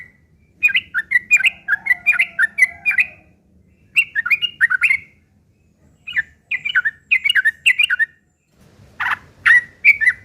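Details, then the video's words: Harsh fighting song of a yellow-vented bulbul, used as a lure so other bulbuls call back: repeated bursts of rapid, chattering, slurred notes separated by short pauses, ending with a few louder, rasping notes. "trucukan gacor TARUNG ngeriwik kasar pancingan trucukan agar bunyi jadikan burung trucuk gacor NYAUT"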